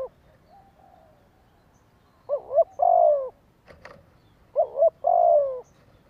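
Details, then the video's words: Lure recording of a Spotted dove, 'thổ đồng' voice, meant to stir wild birds: two phrases of a brief warbling double note then a long downward-sliding coo, with a faint click between them. "Tiếng chim cu gáy Kích Bổi Tập Mồi giọng thổ đồng, Âm thanh kích chim hiệu quả"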